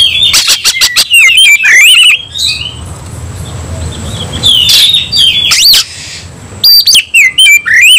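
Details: Oriental magpie-robin in aggressive fighting mode, singing fiercely: rapid bursts of harsh, scratchy notes with whistled upslurs, a quiet gap in the middle with low background hum, then more loud rasping phrases.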